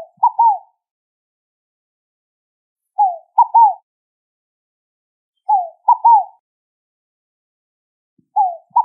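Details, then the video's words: Song of the ruddy ground dove, a short cooing triplet with a downslurred first note and two rounded coos, repeated regularly about every two and a half seconds in quiet surroundings. "O Canto da Rolinha Fogo Apagou!"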